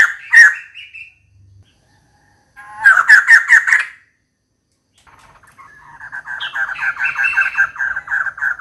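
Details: Calling for a mate, a female White-crested laughingthrush delivers three bouts of raucous laughing notes: a brief squawk, a burst of rapid harsh cackles, then a longer run of quick chattering notes after a silent gap.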